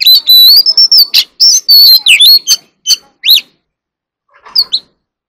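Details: Oriental magpie-robin singing competitively: a long rising whistle, then rapid loud chirps and swooping whistled notes that slow into separate calls and end with a few soft notes.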